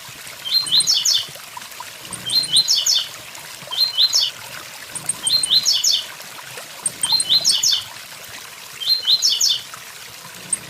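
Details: Song of a blue-black grassquit with waterfall sound: six brief, high, buzzy stepped phrases, each under a second, repeated roughly every two seconds over continuous falling water.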